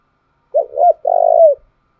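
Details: Spotted dove decoy song meant to provoke wild birds: a lone soft phrase, two quick coos then one long wavering coo, clean against a silent background.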